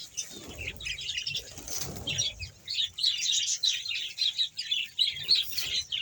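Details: Colony of roughly 100 budgerigar pairs at Bahawalpur: busy warbling chatter in rapid bursts, with wing flutters and low bumps during the first two seconds.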